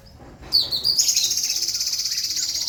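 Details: Violet cuckoo tutoring recording for songbird keepers: a piercing high opening note breaks into a rapid, steadily pulsed high trill that continues to the end, over faint low background noise.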